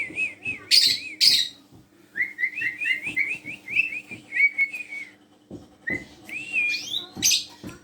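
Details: Tame black-collared starling, a lure bird for prompting other birds to sing, gives harsh scratchy bursts, then a rippling run of quick whistled notes, then more whistles and a loud rasping burst near the end.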